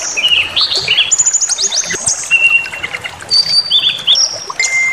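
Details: White-rumped shama song provoked to aggression: varied whistled phrases, some rising and some level and sustained, with quick stacked notes and short chirps in a lively, continuous sequence against faint background noise.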